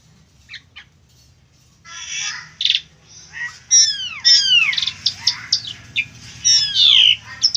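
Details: Asian pied starling singing, recorded for tutoring other birds: after a quiet start, a loud varied run of whistled downslurs, harsh buzzy notes and sharp chirps in irregular bursts.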